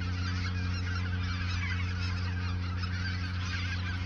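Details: Geese gathered in the Ochsenmoor nature reserve in autumn 2022, just before migrating south, make a busy, continuous wall of honking calls over deep background rumble.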